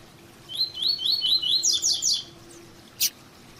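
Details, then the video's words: Female double-collared seedeater call for warming up males: a quick series of high upslurred chirps, then a cluster of sharper descending notes, followed by a single faint click. "PIADO DE FÊMEA DE PAPA CAPIM"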